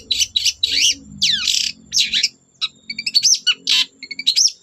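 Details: Long-tailed shrike singing to provoke other shrikes to join in. Harsh, buzzy sweeping notes are followed by thin high whistles and chirps, with low background noise.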